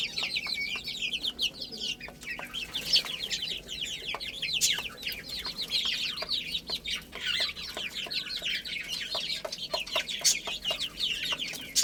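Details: Little chicken chicks chirping while playing and eating; many high, short descending peeps run together nonstop, punctuated by frequent sharp clicks from pecking at food.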